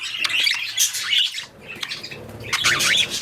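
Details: Parakeets mating, in three bursts of scratchy squawking and wavering whistles, separated by a quieter pause around one and a half seconds.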